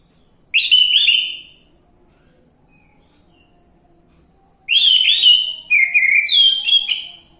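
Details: Orange-headed thrush lure recording used to prompt singing: a short whistled phrase, a quiet gap of three seconds, then a longer run of varied rich, rising and falling whistled notes.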